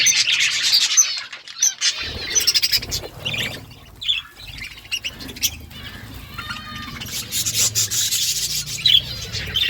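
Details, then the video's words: Budgies in the morning giving bursts of high chirps and squeaky whistles between quieter gaps, with rustling and wing-flutter noises and a faint low hum. "Budgies sounds in the morning"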